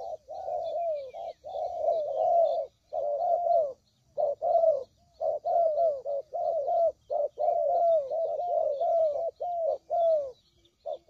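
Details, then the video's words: Spotted dove cooing for trapping: a busy string of rounded, gently descending coos, delivered in clustered bursts with short breaks, layered as if several birds call together. "Suara Pikat Burung Tekukur Paling JITU"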